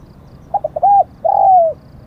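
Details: Spotted dove used as a decoy bird to lure wild doves: a few short stuttered notes, then two low, loud, even coos, the second long and slightly falling at its end; faint background hiss.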